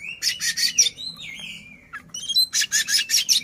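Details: Singing Oriental magpie-robin, tail opened, provoking a rival bird: rapid harsh scratchy notes repeated almost three times a second, broken by a smooth falling whistle, then more grating bursts.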